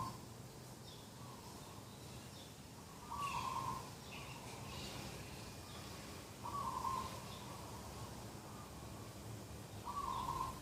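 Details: Morning scene beside a garden on 2 October 2021: a dove repeats a level, trilling coo about every three seconds, with softer echo-like notes between and light chirping of other birds behind.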